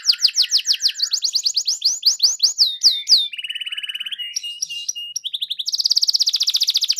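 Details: Canary song used to encourage a quiet canary to sing: repeated downward-sweeping notes, a low rolling trill, scattered clicks, then a dense, fast, high trill.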